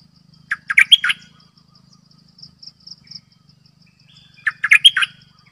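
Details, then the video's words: Decoy Cream-vented Bulbul calling two lively gurgling phrases of several quick notes about four seconds apart, over a high insect buzz and a soft low drone. "เสียงนกดอกแตงEp.112 Birds sounds"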